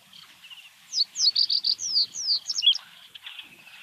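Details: Common Reed Bunting singing in Uitgeest, the Netherlands, 2023: one short, jerky phrase of high slurred chirps quickening into a scratchy flourish, with a Sedge Warbler in the background and faint hiss.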